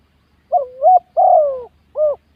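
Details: Spotted dove used as a ground decoy bird gives one mellow cooing phrase: a dipping two-part coo, a longer falling coo, then a short closing note, in quiet surroundings.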